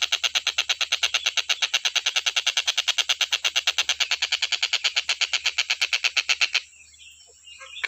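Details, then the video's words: Stork-billed kingfisher, recorded as nonstop training audio for other cage birds, gives a fast run of harsh, evenly spaced cackling notes, about three per second, that ends abruptly at six and a half seconds and leaves a faint high hiss. "TENGKEK BUTO KHUSUS BUAT MASTERAN,FULL KICAU GA ADA BERHENTI NYA"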